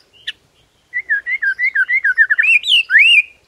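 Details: White-rumped shama singing in the morning to provoke rival birds: a fast run of clear whistled notes around mid pitch, rising near the end into a brighter upswept phrase, after one sharp chip.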